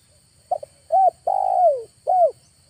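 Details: Lure call of a Spotted dove, August: a brief stuttered opening note, then a short coo, a long tremulous coo dropping in pitch, and one more short arched coo.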